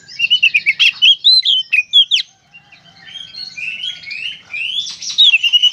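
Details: Oriental magpie-robin (kacer) singing in the lively 'gacor konslet' style, played as therapy to prompt other kacer to sing: rapid bursts of sharp, sliding whistles, a brief lull near the middle, then softer buzzy phrases building back to loud whistling.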